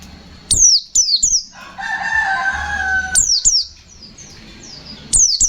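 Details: White-eye (pleci) fighter song, 'ngalas nembak' style: high doubled and tripled falling whistles, with a lower drawn-out crowing rooster in the background between phrases.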